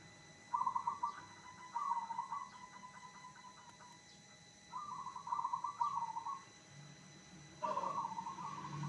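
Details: A zebra dove sings to draw answers from other zebra doves: three stuttering, bubbling cooed phrases separated by pauses of about two seconds, each a rapid trill of soft notes, over steady low hum.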